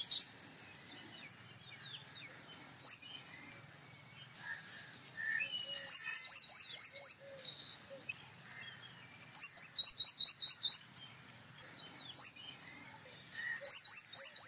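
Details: A male purple sunbird delivers repeated phrases of fast, high-pitched rattling notes in rhythmic bursts, separated by pauses holding a few thin chips and brief lower calls, against a quiet background.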